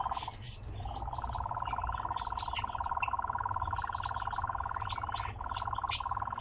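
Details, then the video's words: Captive nightjar singing while performing a display dance: a steady, fast mechanical churr holding one pitch, continuous for about five seconds, briefly broken, then resuming, with faint chirps and background noise. "Пение и танец козодоя"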